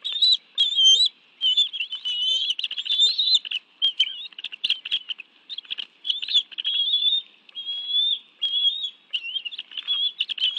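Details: At a bald eagle nest in the National Arboretum, Washington, D.C., in June 2017, the two adults each bring a fish and settle in to eat with their two young. Shrill piping whistles come in short bursts separated by brief pauses.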